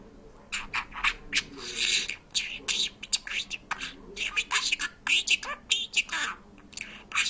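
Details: Talking parrot chattering Georgian-sounding phrases, a dense sequence of rasping, high-pitched syllables with occasional squawky accents.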